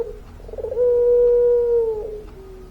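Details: Puter pelung dove, a chatty bird in its long-voiced singing style: one steady, drawn-out hooting coo held for more than a second, gently sliding lower at the end, with a soft murmur before it.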